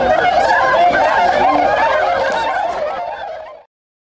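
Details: A flock of swans becoming active after waking in Inzai, Chiba, Japan, 16 January 2022; rapid overlapping honks in a dense chorus that fades away over the last second.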